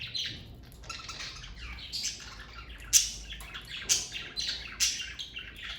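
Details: Pet budgerigars in a parakeet family chatter in scratchy, buzzy warbles, punctuated by loud, shrill squeaks about once a second, and a faint low hum runs underneath.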